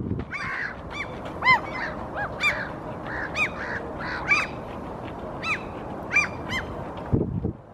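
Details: Eurasian oystercatcher (Haematopus ostralegus) standing on a rock in Helsinki, Finland, April 2023, giving loud, piercing 'kleep' notes roughly one every second or two, some fainter calls overlapping, over steady wind or surf noise; also yawning and preening.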